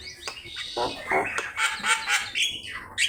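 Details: Javan myna singing for a training master: buzzy, grating phrases and squeaky chatter delivered in rapid uneven bursts about four per second.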